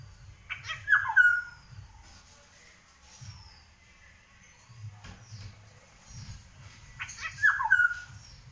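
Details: Two bold, rich whistled phrases from an Indian golden oriole (Haladi Basant), one near the beginning and one near the end. Between them come quieter high bird notes and low background rumble.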